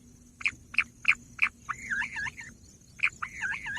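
Bush quail giving four sharp, high chipping notes about three per second, then quick warbling, rolling phrases, over a steady faint hum.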